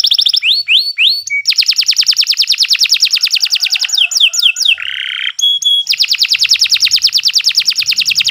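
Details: Kenari canary singing a long gapless master song for training: swooping whistles, long rapid trills of repeated notes, a buzzy roll and clipped tones, ending in another extended fast trill.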